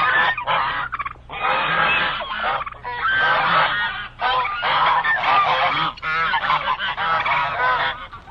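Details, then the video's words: Several geese screaming in a noisy flock, raucous harsh honks tumbling over one another in bursts separated by short pauses, roughly thirty-four outbursts a minute. "How geese scream/goose sounds"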